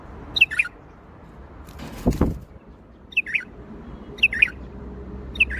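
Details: Bulbul giving Baghdadi-style song: quick two-note chirped phrases recurring roughly every second, interrupted once by a brief loud rustling or flapping burst, with steady low background noise.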